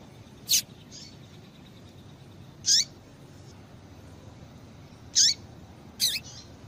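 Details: Female double-collared seedeater calling to excite males and set them singing: four short, high chip notes with a sharp rising-falling sweep, spaced irregularly over several seconds against faint background hiss.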